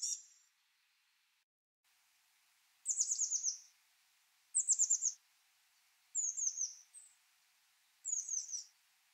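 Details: Eurasian blue tit, a species of forest and city, giving four short, very high bursts of thin, slightly descending chattering notes about one and a half seconds apart, against a quiet background; such calls can serve as identification features.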